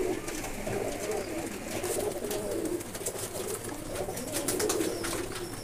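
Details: Pigeon-flying birds of blue colour, ready for release: a flock's low rolling coos rise and fall in soft waves every second or so, mixed with light clicks and a steady background rush.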